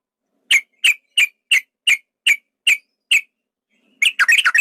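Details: Male yellow-vented bulbul in a fight-provoking lure recording. Eight evenly spaced sharp chirps roughly every half second, then a sudden burst of tumbling, jumbled chirps.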